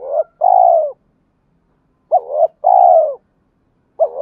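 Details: Low, repeated cooing of a male spotted dove, used to provoke fighting and call a mate: a long hoot, then a bouncing double note and another sustained coo, with the next phrase beginning at the close.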